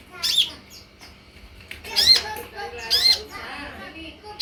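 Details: Olive-backed sunbird lure: scratchy squawked notes with down-slurred undertones, separated by soft chattering and faint warbled notes, used to get sunbirds replying and singing.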